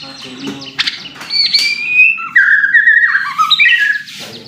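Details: White-rumped shama in captivity giving song used to provoke other birds: sharp clicks, then smooth whistled notes stepping down and sliding, with quick warbled flourishes over a faint low hum.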